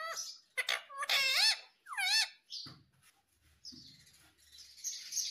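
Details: Green Indian ringneck parakeet speaking in quick, harmonic word-like bursts with swooping pitch for about two seconds. Soft rustling and faint high chatter follow.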